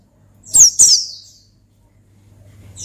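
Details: Oriental white-eye singing ngalas style to challenge a rival: a quick pair of sharp, high, falling notes, then near silence with a faint hum and a soft note at the end.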